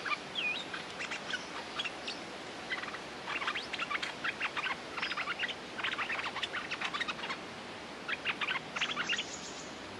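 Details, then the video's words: Streak-eared bulbul defending its territory and ready to fight, as a lure sound: repeated bursts of rapid, crisp chattering notes with short pauses, one brief whistle near the start. "เสียงนกดอกแตงEp.180 จ้าวถิ่นจะรบอย่างเดียว!! Suara pikat merbah lekir gacor"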